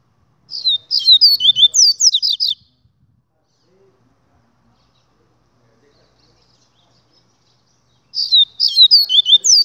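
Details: A double-collared seedeater delivers a fast run of clear, high, slurred notes for about two seconds, falls silent for several seconds, then starts another similar ringing phrase.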